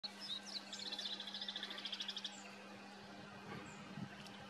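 A bull-headed shrike gives a rapid, chattering run of high, harsh notes for about two seconds over a steady low hum.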